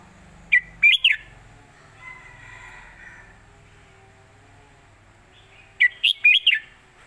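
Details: Red-whiskered bulbul performing an old southern Thai master song for teaching birds; two separate bursts of three to four loud, chirpy whistled notes, several seconds apart, with faint low background noise between them.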